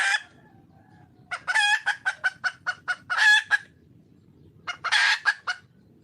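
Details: Wild red junglefowl hen calling out for a male: a sharp opening note, then a raspy squawk and a quick series of clipped clucks ending in a long harsh cry, repeated after a pause.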